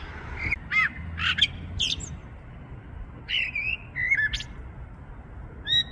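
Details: Starling singing from a tree in February 2023, phone recording: a jumble of dry clicks, harsh squawky bursts and short whistled slides, rising and falling, spaced by brief pauses, with low background rumble.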